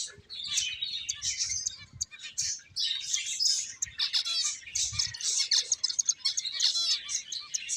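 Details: Several finches chirp steadily: a busy overlapping stream of thin, high twitters and quick trilled notes with little background noise.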